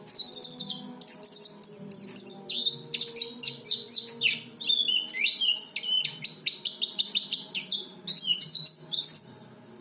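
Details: Song of an oriental white-eye, used as a daily lure so newly kept white-eyes begin singing sooner. Loud, continuous high twittering of quick chirps, slurred whistles and trills, delivered in tight, energetic runs without pause.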